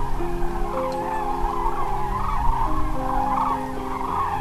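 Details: A large flock of common cranes that just flew in to roost for the night at Pramort on the Baltic coast of northern Germany calls in an overlapping chorus of loud trumpeting notes while a red deer stag runs through; a low rumble underneath.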